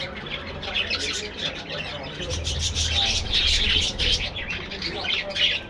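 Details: Budgerigars chattering in a colony aviary: a thick wash of high, fast chirps and warbles that grows louder toward the end, over a low rumbling hum.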